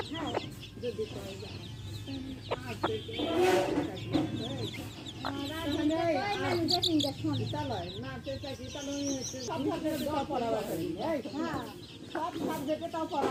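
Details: Hen and baby chicks: a continuous run of bending, murmured clucks mixed with scattered high chick peeps, over a low background hum.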